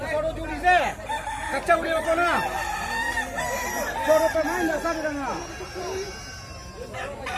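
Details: Kukuak Balenggek roosters competing in a crowing contest in West Sumatra; several birds crow at once in long, stepped, wavering phrases that break off in downward slides, over crowd chatter.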